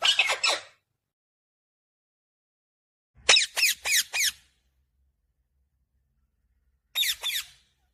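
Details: Green ringneck parakeet giving short, shrill squeaky notes in three bursts of two to four rapid syllables each, separated by long silences.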